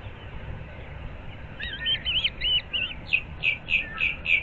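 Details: At a Florida nest used by a breeding osprey pair, a morning series of piercing upslurred whistles, quickening into evenly spaced chirps roughly three per second, with faint hiss behind; recorded 15 April 2024 in Naples.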